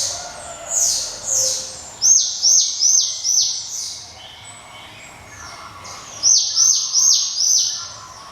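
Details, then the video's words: Java sparrow with a ringing 'cemelenting' voice: two bursts of rapid, tinkling, downslurred high notes, four or five per burst, with a quieter pause between the bursts. "SI CABE RAWIT GLATIK,SUARA CEMELENTING TIADA TANDINGNYA"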